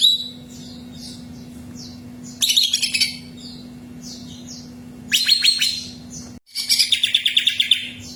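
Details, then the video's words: Song of a greater green leafbird used to stir another bird to sing: quiet sliding whistles, then three loud bursts of fast, high chirps and twittering trills about three seconds apart, with a continuous low hum behind. "SUARA BURUNG CUCAK IJO PH"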